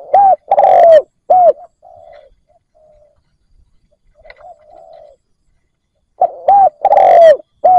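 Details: Decoy spotted dove calling to attract wild doves. Loud rhythmic coo phrases at the start and end, with soft low murmuring coos in the pause between them.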